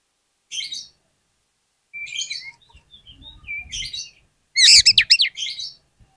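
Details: Oriental magpie-robin (kacer) song used as a lure for other magpie-robins: scattered scratchy twitters and thin whistles, ending in a loud rush of rapid up-and-down sweeping notes.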